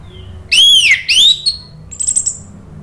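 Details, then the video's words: Orange-headed thrush lure song: two strong, rounded, rising-then-falling whistles in quick succession, then faint high tinkling notes. "Pancingan ANIS MERAH bikin NYAUT ikut BUNYI GACOR NGEPLONG"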